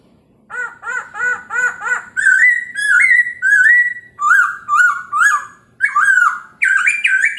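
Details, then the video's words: Chinese hwamei singing in the morning to provoke other birds: a string of short, evenly repeated stacked notes leads into long level whistles and sharp hooked upslurs. "POKSAY HONGKONG kicau pagi hari buat EMOSI burung lain cocok untuk PANCINGAN pasti NYAUT dan GACOR"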